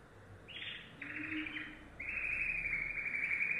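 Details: Yellow domestic canary singing: a buzzy high trill, then a steady rolling trill and a long bright sustained tour, high-pitched and rapid throughout.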